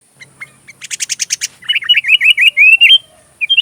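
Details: Sooty-headed bulbul song used as tutor material for magpie robins: a quick run of buzzy chattering notes, then a warbled string of clear, bubbling whistles that slide up and down, ending in a brief final phrase.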